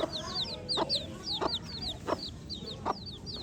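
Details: A brood of baby chicks peeping: quick high, downslurred chirps repeat in loose runs, punctuated by four loud pecking-like taps spaced under a second apart.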